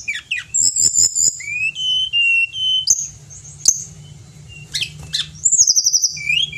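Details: Pied bushchat, called Tledekan Gunung in Indonesia, singing in gacor style as a tutor recording: quick high chips, flat whistled notes around the middle, scattered sharp clicks, then a fast stuttering trill to end.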